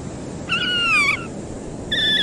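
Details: Horned (Slavonian) grebe, Podiceps auritus cornutus, on water while diving and swimming, gives two drawn-out, nasal squealing notes that fall slightly in pitch, the second cut short, over a soft low rumble.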